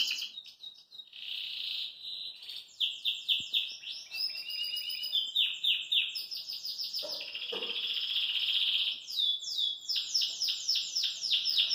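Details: Cheerful song of a caged Belgian canary hopping about: an almost unbroken high warble mixing buzzy rolling trills, bright sustained tones and bursts of quick descending notes.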